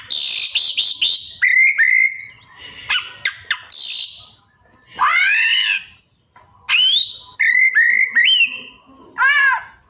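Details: Oriental magpie-robin singing vigorously with many mimicked phrases: stuttered high notes, clear rising whistles, sharp clicks, a loud swelling harmonic call and repeated bright whistled motifs.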